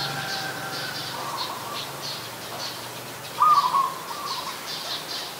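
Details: Zebra dove, adult, Ubon Ratchathani, Thailand, 28 December 2020: a single clear rippling coo phrase after a quiet stretch, accompanied by faint thin whistles and high chirping from other birds and a low background hum.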